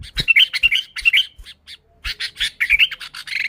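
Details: Sooty-headed bulbul in lively, steady song, original and without added songs of other birds, used to lure bulbuls. Rapid bursts of harsh, burbling chatter with short whistled slurs, a brief pause near the middle, then more busy chattering.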